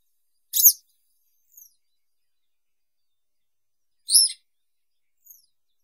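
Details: Western yellow wagtail singing: two short, high, sharp chirps about three and a half seconds apart, each trailed by a faint softer echo-like note, over an otherwise silent background.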